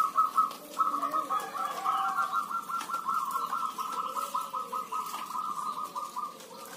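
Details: Busy chorus of village zebra doves: overlapping rapid, pulsing coo-trills run almost without a break for nearly seven seconds, and softer lower notes sound beneath them.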